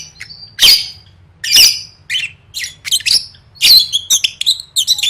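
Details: Lovebird competition-training song: sharp, high squeaky chirps and raspy bursts spaced roughly a second apart, then a quicker flurry of short notes at the end, over a faint low hum.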